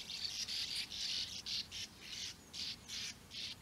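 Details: European bee-eaters in the flat surroundings of Puszta Eldorado, where their nest holes dot the ground. They give a fast series of rolling, purring 'prrp' calls, two or three a second, bright and high, with little else heard.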